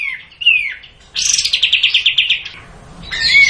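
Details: Bulbul singing in captivity during song training, with short slurred whistles followed by a quick rattling series of crisp repeated high notes, then a pause and another whistled note.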